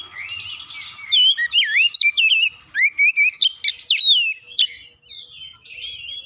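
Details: Rapid oriental magpie-robin lure song aimed at provoking a rival, showing off varied phrases: a harsh buzzy burst, then a dense string of looping whistles, sharp downslurred notes and wavering trills.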